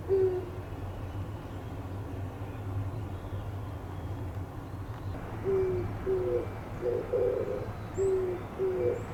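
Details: Oriental turtle dove calling with its chest swelling: after several seconds of quiet background hum, a run of low, husky coos in short groups, the first note slightly falling, repeated over the last few seconds.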